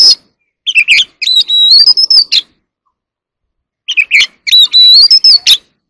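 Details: Oriental magpie-robin in a singing contest, performing as it sings: two matching phrases about three seconds apart, each a run of chipping notes leading into a sustained, gently rising whistle with a buzzy end.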